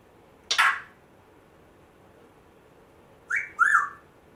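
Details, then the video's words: Pet African grey parrot, rescued a month earlier, kept indoors; a sharp falling squawk is followed after a pause by two short whistled notes, the second dipping and rising. "Hilarious African Grey parrot talking, funny weird sounds"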